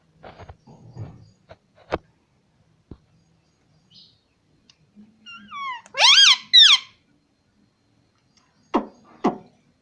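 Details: Pet parrot said to speak mummy and papa; after scattered clicks and quiet, a few sliding whistled notes lead into two loud, rich, wavering syllables, followed by brief clicks near the end.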